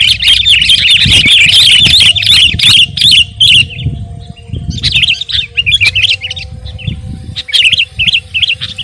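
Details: Sooty-headed bulbul singing vigorously (gacor), a recording meant for tutoring and provoking other kept birds: dense bursts of quick chirpy, warbled notes in phrases separated by short pauses, over a faint steady hum and low rumbling background noise.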